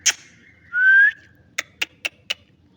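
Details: New green ringneck parrot giving a sharp click, then a clear rising whistle held for about half a second, followed by four evenly spaced dry clicks.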